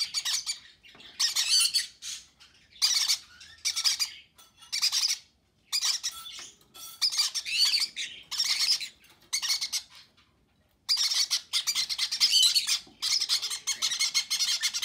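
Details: Conure parents feed babies; the young give repeated harsh, buzzy begging squawks in bursts of one to two seconds, with a longer silence near the middle.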